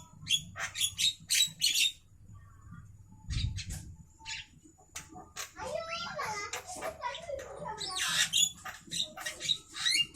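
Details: At midday a javan myna delivers scratchy chattering bursts mixed with squeaky, warbling, twisting notes, varied and irregular, with one low thump partway through.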